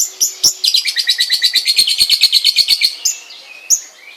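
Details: Long-tailed shrike at home gives a rapid, even trill of around twenty high chip notes over two seconds, framed by a few isolated sharp chirps before and after, then quieter sliding whistles.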